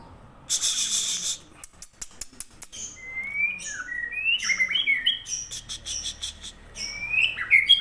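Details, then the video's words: Aceh white-rumped shama, opening with a harsh noisy burst and clicks, then a stretch of rapid slurred whistles and chattering notes that grow louder toward the close. "Pastol Murai Aceh"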